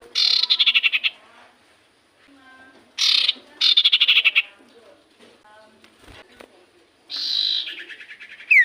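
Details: Common iora song used as a lure to get silent birds singing back: loud buzzy bursts of rapid rattled notes, each about a second long, separated by quieter pauses with faint softer chirps.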